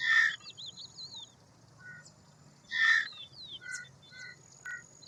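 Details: An Indian roller (Coracias benghalensis) gives two loud, harsh rasping calls about three seconds apart, with thin high chirps and whistles from smaller birds in between.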